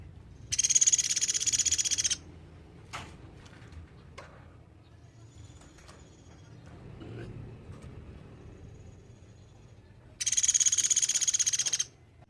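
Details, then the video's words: Sunda pygmy woodpecker calling vigorously, recorded as a tutor for training songbirds. Two high, buzzy rattling trills of about one and a half seconds each, rapid even pulses, separated by a long pause with faint background noise and clicks. "Suara platuk beras gacor nembak"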